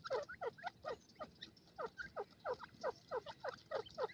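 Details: Forest francolin pair: a steady series of short, husky notes, about three or four each second, evenly spaced and slightly descending in each note.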